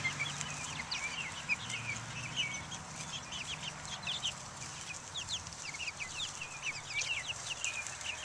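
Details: Outdoor group of chicks of three breeds, Buff Orpington, Black Australorp and Americana, recorded in 2010, calling with rapid, high, sharp peeps in overlapping clusters, over a low droning hum.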